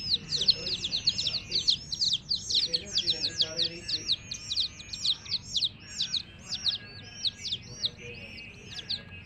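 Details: Several hen chicks peeping together in a dense chorus of high, down-slurred chirps that overlap rapidly and continuously, with faint low murmurs underneath.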